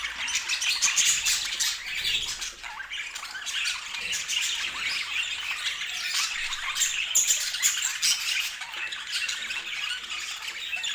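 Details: Continuous twittering from a budgerigar flock: scratchy warbles, sharp chirps and occasional louder squawks overlap in an irregular, busy stream with no pauses.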